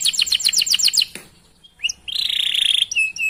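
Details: Singing canary used to coax other canaries into song: a fast run of sharp repeated chirps, a short pause, then a sustained buzzy trill and a clear whistled note.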